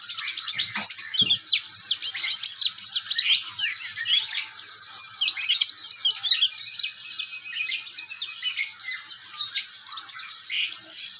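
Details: Oriental white-eye, a young bird practising the ngeriwik song style, pours out rapid, high-pitched twitters and buzzy slurs almost without pause. There are a couple of soft low thumps near the start.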